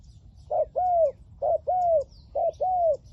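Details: Decoy spotted dove with a 'liu tan' voice, luring wild doves, giving three clear double coos, a short hoarse note then a long smooth falling coo, about one pair each second, faint chirps behind.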